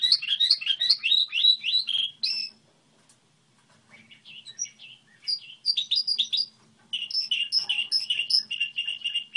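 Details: Song model from a goldfinch hybrid: a fast run of rising chirped notes, a pause with scattered soft twitters, then dense bursts of ringing, tinkling notes repeated quickly, with a faint low hum behind.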